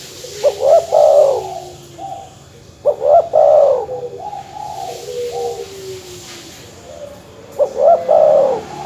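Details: Dove calling to provoke rival birds, spotted dove or zebra dove: three similar phrases of short rising coos ending in a longer bubbling note, repeated about every three seconds against a steady background hiss.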